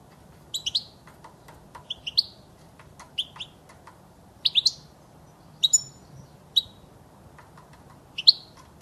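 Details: European goldfinch presented as a clean, error-free recording for tutoring goldfinches and teaching chicks to sing; short, high chirped notes scattered irregularly across the clip, some in quick doubles, over a faint low hum.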